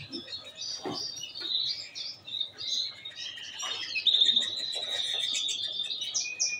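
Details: Canary singing to stimulate females for mating: a continuous high, warbling song with rolling trills and buzzy, sustained passages that swell louder toward the middle. Faint low background rumbles and thumps sit beneath.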